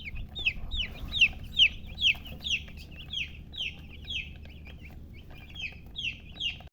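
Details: Young chicks give a steady stream of sharp, high, falling peeps, roughly two or three each second, some louder than others, with faint low hum beneath.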